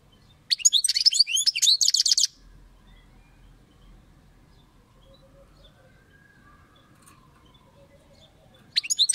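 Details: European goldfinch singing a fast, jumbled twitter of high, liquid notes for nearly two seconds, then falling quiet before another burst begins at the very end; faint low background rumble between phrases.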